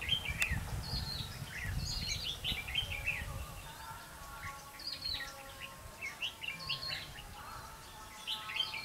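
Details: Red-whiskered bulbuls recorded during bird trapping on 5 November 2016: short bright warbled phrases of rising and falling notes, repeated several times and overlapping, over a steady low rumble of background noise.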